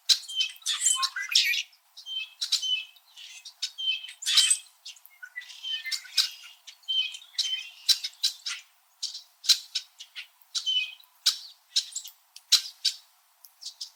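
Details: Numerous Red-winged Blackbirds noisily calling in winter, high in backyard trees in Southern Ontario, Canada: a continuous, overlapping stream of sharp chips and squawky notes, with whistled tones woven through, lasting throughout.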